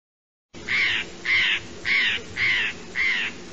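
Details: A Eurasian jay repeats a rough, scratchy screech five times at steady half-second intervals after a short silence, each call harsh and noisy, nothing else audible.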